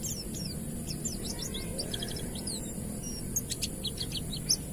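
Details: Ngalas-type Oriental white-eye singing as a lure for untrained white-eyes; rapid high chirps and short downslurs in loose bursts, with a few sharper accented notes near the end.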